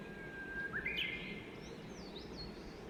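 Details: Wild Japanese bush warbler perched in a tree by Gomyo Dam, Kagawa Prefecture, Japan: a long, steady whistled note, then a rising flourish, with thin high chirps from other birds and a constant background hiss.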